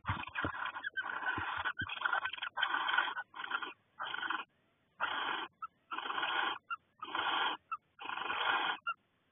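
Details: Barn owls in a nest box in February 2020, during courtship before laying, with the male bringing freshly caught voles to the female. Harsh, breathy hissing screeches come in about nine bursts of roughly half a second each, separated by short silences, with a few soft knocks early on.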